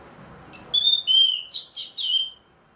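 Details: Orange-headed thrush, a caged ring-bred bird singing again after finishing its moult: clear whistled phrases, a long steady note followed by several short rising-falling whistles, loud in a quiet room.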